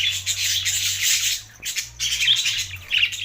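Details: Short burst of budgerigar chatter from Larkana, Sindh, June 2024: a thick, buzzy warbling stream that breaks off briefly near the middle, then resumes with sharp squeaks. A low hum sits beneath.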